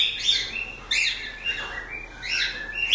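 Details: Cockatiels chirping: bright, slightly buzzy chirps and short whistled notes in quick bursts, about five calls within three seconds, some rising then falling, with no other clear sounds.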